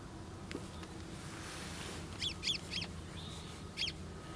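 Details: Cretzschmar's bunting (Emberiza caesia), a migrant, at Yotvata, Israel, on 10 March 2013, giving four short, high, clipped call notes over about a second and a half against a steady low background rumble.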